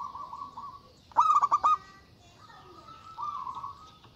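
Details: A local zebra dove giving a strong call to lure rivals. One rapid burst of five clipped coos sits between smooth, steady sustained notes.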